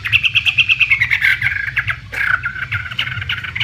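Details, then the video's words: Chinese hwamei, an imported premium contest bird, singing a fast run of rapid repeated notes around a steady pitch, then a brief sweeping phrase and more quick rhythmic notes; a low hum runs underneath. "Suara Burung Wambi (Chinese Hwamei)"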